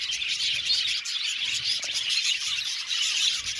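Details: Many budgerigars chirping together, a dense, unbroken wash of high twittering notes and short warbles overlapping throughout, with no pauses and no other sounds standing out.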